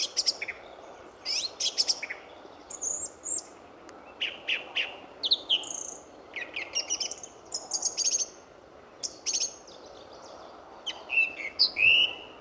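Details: A song thrush sings his heart out at RSPB Fowlmere just before sunrise in February 2014: a long, busy stream of varied whistles, buzzy rattles and sharp chirps, phrase after phrase with short gaps.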